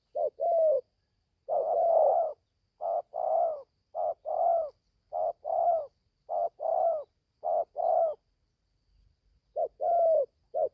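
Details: In Gia Lai, Vietnam, a young caged spotted dove on its first forest training trip coos steadily. Each short note is followed by a longer throaty note, repeated about ten times with a brief pause near the end.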